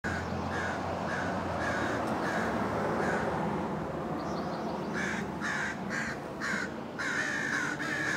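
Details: American crow in Vancouver, Washington, USA, recorded May 21, 2010: a series of harsh, short caws, first spaced about every half second, then louder, closer caws later, over a steady roar of traffic-like background noise.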